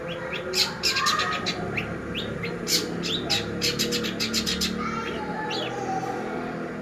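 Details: Long-tailed shrike singing as a lure to train other birds: bursts of abrupt, scratchy high notes and quick chattering clusters, with a faint whistled note and a constant low background drone.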